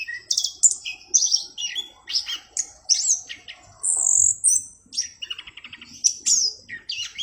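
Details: Lively orange-headed thrush song with a distinctive clear tone, sharp high whistles, a long bright held note and rapid trilled passages.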